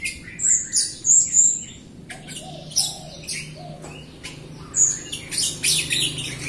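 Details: Jalak Rio myna singing actively, used as a lure to prompt other Rio mynas, including reluctant singers, to sing: high whistled notes and scratchy, buzzy chips in quick uneven bursts over a low background hum.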